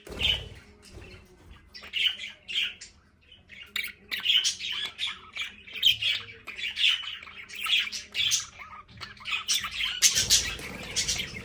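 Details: Domestic budgerigars in a home play area call with repeated short squawks and chirps roughly every half second, a mix of harsh and tonal notes, ending in a louder noisy burst.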